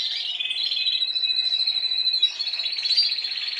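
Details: Spanish timbrado canaries singing, an adult from last season and youngsters learning. Heard here is an even, sustained rolled trill, flat in pitch, with a faint second voice and a slight change midway.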